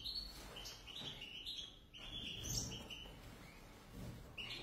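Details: A pair of European goldfinches in short phrases of high chirps and twittered notes, broken by pauses, against a noticeable low rumbling background.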